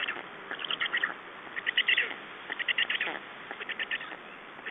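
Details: Nest of Black storks in Estonia, 9 June 2011, with a nest exchange and a feeding; clusters of squeaky, chirping notes come in quick pulses about once a second, louder in the middle and fading toward the end.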